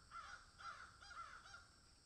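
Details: In a field, a crow gives four rough caws in quick succession, roughly one every half second.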